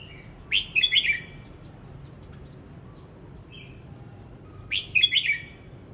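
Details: Voice-practice song of a red-whiskered bulbul: lively, slurred warbling phrases repeated about every four seconds, with a short whistled note in the pause.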